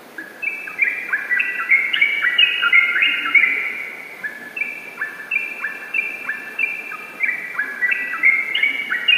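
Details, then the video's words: Yellow-vented bulbul in long, lively, nonstop song: bubbly, gurgling phrases of quick slurred notes, tumbling and overlapping almost without pause, over faint background hiss. "Trucukan Ropel Gacor durasi Panjang"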